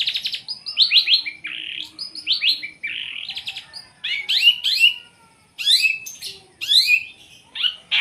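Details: Long-tailed shrike giving loud close song, series of quick falling notes and buzzy slurs, followed by harsh scratchy bursts and sharp high squeaks separated by brief pauses.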